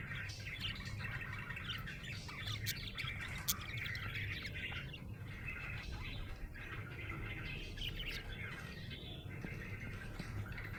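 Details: Budgerigar in a happy mood gives soft, continuous twittering and chirruping at a fairly high pitch, with a few sharp clicks mixed in, all over a low constant background hum.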